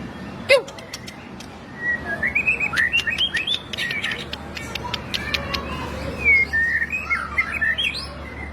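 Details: White-rumped shama, a caged bird used to train other captive shamas, gives a varied song of clear whistled phrases, short slides and sharp ticks over steady background hum.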